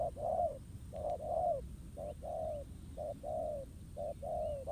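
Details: Spotted dove, wild, contesting with a decoy in a ground trap, repeats soft low coo pairs: a quick first note then a drawn-out second note falling slightly at its end, five phrases about a second apart.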